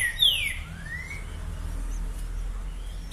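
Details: Green-winged saltator (Saltator similis) of the "boca mole" type singing nonstop on 2 June 2020: a clear whistled phrase, a bright note sliding down, then a slower rising slur, over a steady low rumble.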